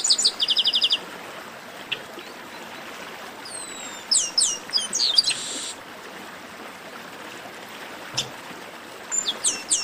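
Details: Chestnut-capped blackbird 'baderna', used to stir other birds into song. A fast chirping run opens, then a pause, rising slurred whistles and a buzzy burst, then a long hissy gap before more high chirps close.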